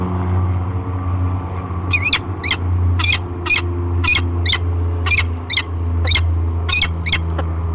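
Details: At Great Spirit Bluff on 15 March 2023, a peregrine falcon pair meets in the nest box. After a quiet start, a string of harsh, ringing chip notes follows, some doubled, against a strong low droning hum.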